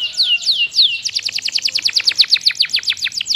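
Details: Canary singing a varied tutor phrase: three slower falling whistles, then a rapid rhythmic series of short sharp notes repeated about six times a second, clear and loud.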